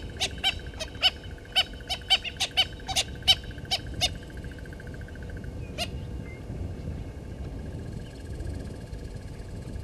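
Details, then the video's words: A Natal spurfowl family at Gowrie dam waterhole, Djuma Game Reserve, Sabi Sand, South Africa, on 09/11/19, gives a burst of harsh, clipped notes in an uneven series for about four seconds, then one last note, over a steady insect hum. "Natal Spurfowl"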